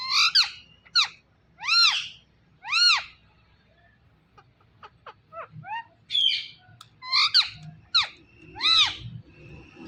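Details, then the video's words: Talking pet rose-ringed parakeet: a run of clear, arching whistled syllables like repeated words, a short pause, then quick clipped chatter and more arching voiced notes, with a faint low background hum. "So Cute Talking Ringneck Parrot"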